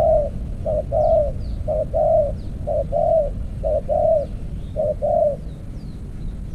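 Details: Decoy spotted dove in an earthen trap repeating its low two-part coo about once a second, a brief note then a longer rolling one, with faint high bird chirps and constant background rumble.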